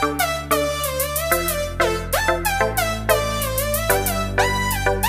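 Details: Loud melodic instrumental music with a steady beat and sliding tones, and no animal voices.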